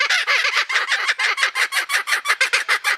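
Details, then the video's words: Kookaburra laugh, a fast run of harsh, hooting chuckles repeated about three times a second, each note rising and falling, steady and loud throughout. "Laughing Bird - Kookaburra"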